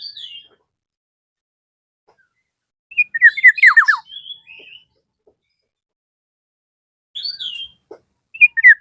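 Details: Black-naped oriole calling to a rival: brief whistles, then a rapid burst of downward-sweeping fluty notes, with isolated whistled calls spaced several seconds apart.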